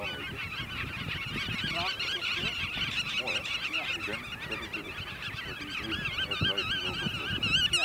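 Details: Displaying black-tailed godwits in Eemnes, Holland, 8 April 2012, during display and mating: a continuous stream of quick, wobbling, yelping notes, growing louder toward the end, over background voices of people talking.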